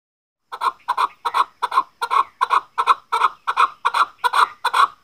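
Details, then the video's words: A Chukar gives a steady run of harsh, clucking chuk notes, about three every second, mid-pitched and slightly rolling. "chakor ki awaz | keklik sesi | voice of chakor | Садои наркабки маст"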